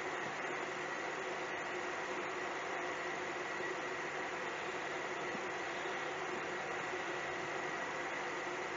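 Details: Constant mechanical hum and broadband drone, like an engine or industrial plant, with no animal sound.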